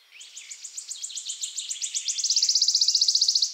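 A wood warbler sings a high series of ticking notes that speeds up into a bright, shivering trill. The background is otherwise quiet.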